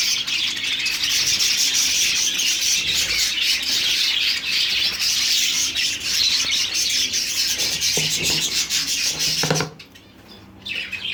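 A crowd of budgerigars chatters nonstop, a dense wash of high, scratchy warbles and chirps.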